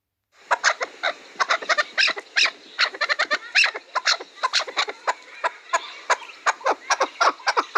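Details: Chukar partridge calling with a quick run of harsh clucking chuk notes, irregularly spaced at several per second, standing out against a quiet background.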